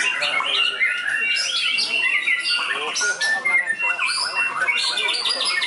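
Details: White-rumped shama, a trained contest bird tested on the field, delivering a busy stream of fill-in phrases: bright whistles and rolling trills, ending in a rapid, rippling warble.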